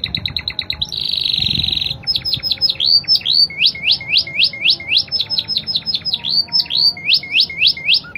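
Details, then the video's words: Spanish Timbrado canary song: clipped repeated notes, a dense buzzy trill, then a long run of rapid J-shaped slurred whistles repeated about four times a second, with faint low background noise. "Kenari spanish timbrado gacor irama mewah ala spanyol"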